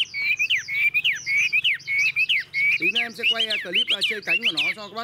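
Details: Caged Chinese hwamei, an old wild-caught bird now mostly tame, tail spread and flicking its wings in display: clear whistled notes near two kilohertz repeat rapidly in short rising-falling phrases, then a man's voice talks over the final half.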